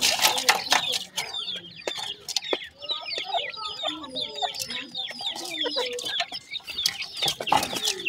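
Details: New pair of grey francolin chicks calling in a dense chatter of thin, high, slurred peeps, with a few lower, softer notes and occasional scratchy rustles, most intense at the start and end.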